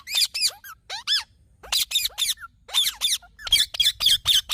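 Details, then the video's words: Fast, excited screeching from a green parrot, with rising strained squawks and a few brief whistles, calls coming several per second toward the end. "Green Parrot Natural Sounds"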